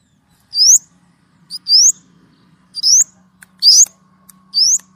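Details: White-rumped shama giving a clear-voiced song of single sharp, rising high whistles, about one per second, with short pauses between them and a faint low hum behind.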